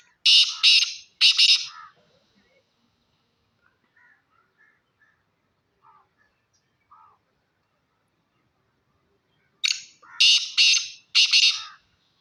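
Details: Black francolin, Pakistani black partridge from Sindh, calling: loud, harsh, grating bursts in a tight series of three at the start, a long quiet pause, then another three-part burst near the end, with faint softer notes between.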